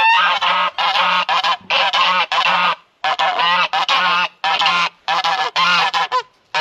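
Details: Several guard geese on a snowy winter day honk loudly and harshly in rapid, overlapping bursts as people walk by the coop. Their owner calls them his alarm and says they are very aggressive. The calls run almost without a break.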